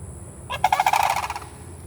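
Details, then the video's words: One of three sandhill cranes in Bunnell, Florida gives a single rolling, rattling honk of about a second, made of rapid mid-pitched pulses, over a quiet background hum. "Sandhill Crane Making a Honking Noise!"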